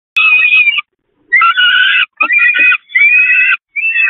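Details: Peregrine falcons being fed on the nest grating at the Catharinakerk, 11 May 2021: loud, harsh, wavering begging wails in bursts of about half a second to a second, separated by short pauses.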